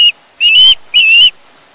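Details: Two long, strained screams from a young osprey on its Chesapeake nest, 21 August 2019, each a shrill, sustained note of about a third of a second, captured by a live nest cam.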